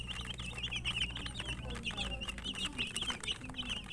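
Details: Chicken chicks chirping during feeding. High, shrill cheeps come in bursts over a low background hum, with faint pecking taps.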